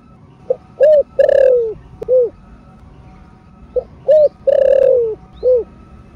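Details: Spotted dove, 'cục cúc cu' stimulating song for caged birds: two repeated phrases, each of soft lead-in notes, a short coo, a long drawn coo sliding downward and a short closing coo; faint distant chirping.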